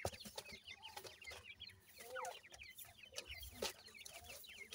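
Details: Feeding seven-day-old grey francolin chicks: dense overlapping high thin peeps, some slurred upward, over rustling and pecking clicks.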